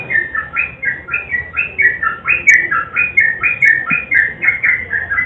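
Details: Sooty-headed bulbul, a lure to prompt silent birds to sing, giving a steady stream of loud, rising-and-falling whistled notes, roughly two per second, throughout five seconds.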